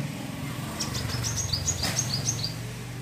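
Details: Wiceh bird giving its crecet chatter, used as a model for training other birds: a quick run of about ten short, high, sharp chips, spaced irregularly, over steady low hum.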